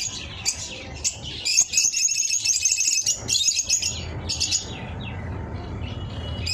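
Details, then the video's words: Eye-ring lovebirds calling: bursts of shrill high chattering chirps in clusters, with pauses between, over a low background rumble. "4k-ring eye love bird sound"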